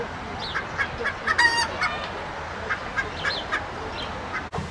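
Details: Hen, the female of the rooster, a farmyard bird: a series of short clucks and squawks spaced irregularly, with one louder harsh cackle near one and a half seconds, over a hissy farmyard background.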